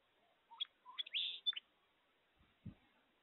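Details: A song sparrow singing before dawn, still dark, gives a quick phrase of a few rising, clipped notes followed by a brief buzzy trill, about a second long, then a couple of soft, low thumps.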